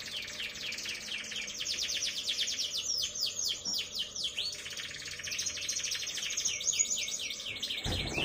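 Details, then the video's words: Young canary about three months old, a caged songbird kept for singing, delivering a fast high trilling song of rapid repeated notes and rolls, continuous and dense, with a brief knock near the end. "MASTERAN KENARI PAUD AGAR NGRIWIK PANJANG"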